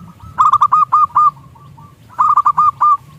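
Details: Local zebra dove singing, used as a lure to make other doves coo: two bursts of about five quick, clear, hooked cooing notes, each burst under a second, with a faint low rumble underneath.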